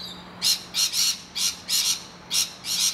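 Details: Short, harsh, grating screams from rainbow lorikeets defending their nest hollow against noisy miners, about five separate rough bursts, some doubled, over a faint steady hum.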